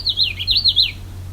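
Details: Common Yellowthroat singing at close range beside a lake on the Bruce Peninsula, after approaching very near: four quick rolling, wavy high phrases in about one second, with a steady low hum underneath.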